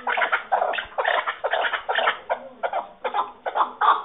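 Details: Chukar partridge uttering loud, coarse cackling notes in uneven clusters, with a low steady hum beneath.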